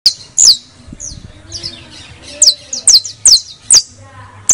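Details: Saffron finch song, played to stimulate other birds to sing: high, thin chirps and sharp downward-slurred notes in irregular bursts, several close together near the end, over a faint low hum.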